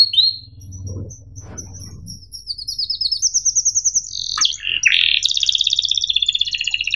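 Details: Canary training song for young birds, opening with sparse high notes, then a rising trill, a harsh buzzy burst and a fast pulsing high trill, with faint low hum and a soft rustle early on.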